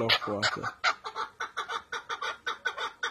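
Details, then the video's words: Male chukar partridge of the henna type calling: a few harsh opening notes, then a steady series of clucking chuck notes repeated about three times per second. "Erkek Keklik Sesi"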